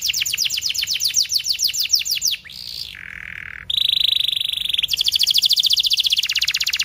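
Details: Canary training song: rapid bright trill of repeated notes, a short low buzzy roll, a steady whistled trill, then quick even rattling notes.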